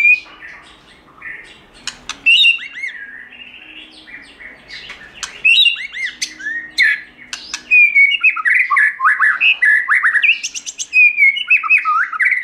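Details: White-rumped shama singing in the wild-voice style for voice training: bright whistled notes and clicks at first, then a long rush of varied warbles, slurred whistles and crisp high chips, loud and almost unbroken.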